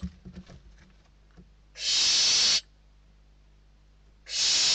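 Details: In a Spanish barn owl nest box, hungry chicks battle over a bird brought in; soft scuffling at first, then two harsh, sustained hissing screeches about two and a half seconds apart.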